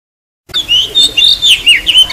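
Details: Oriental magpie-robin song for luring and stimulating birds, heard as a burst of whistled, swooping notes over a hissing, rougher background.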